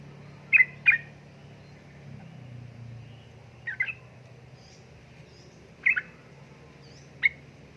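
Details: Sooty-headed bulbul, a female calling a male: sparse short chirps near two kilohertz come singly or in quick pairs a second or more apart, with a steady low hum underneath.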